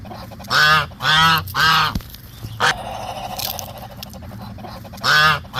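Muscovy duck gives loud, harsh, buzzy calls in a quick run of three, then one short call and a final one after a pause; low background noise.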